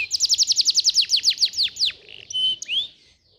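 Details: Canary performing a tutor song to encourage other canaries to sing: about a dozen quick falling notes in an even series, followed by a few short whistles.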